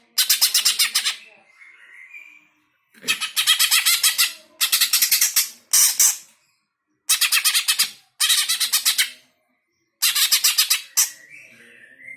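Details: Greater green leafbird, a kept bird, song played to provoke other pet birds into singing: loud, rich bursts of rapid chattering and warbling notes about a second long, separated by short pauses, with a few softer twitters between.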